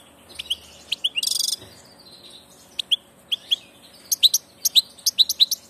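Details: Passage European goldfinch, a migrant bird, singing quick high twittering chirps with a brief buzzy rattle early on, then a liquid, jingling series of tinkling notes.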